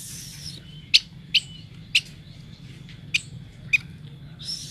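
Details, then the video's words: Yuhina, a bird endemic to Kalimantan, recorded for use as a tutor (masteran) song. It gives five short, sharp, high chirps, irregularly about half a second to a second apart, over a faint steady hiss. "Suara burung yuhina gacor"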